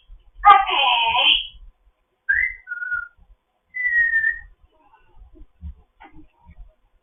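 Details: African grey parrot, a foster bird, chatting in the morning: a loud raspy harmonic squawk, then two short whistles stepping down and a longer flat whistle, followed by faint soft clicks.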